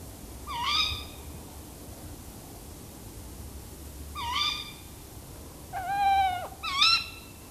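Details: Tawny owl in a tree, mixed with sounds of other tawny owls, gives four sharp, nasal alarm calls about half a second each, the third lower and drawn out, over a low rumble.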